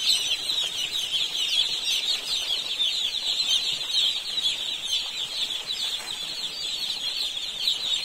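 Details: Many baby chicks at a poultry farm in India cheeping together, a steady, shrill mass of short high peeps that barely varies in loudness, with light shuffling noises underneath.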